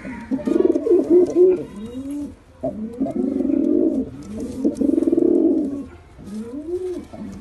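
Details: Deep, throaty coos from pigeons come in rounded rising-and-falling phrases, several in a row with brief pauses, ending on a softer coo.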